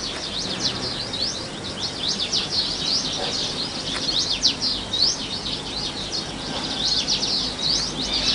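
House buntings keep up a busy chorus of quick, high, overlapping chirps and twitters, several birds calling at once over a faint background hiss.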